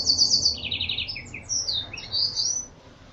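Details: Canary trained on Blackthroat song: a short rapid high trill, a lower pulsed trill, then several sweeping high whistles that fade out.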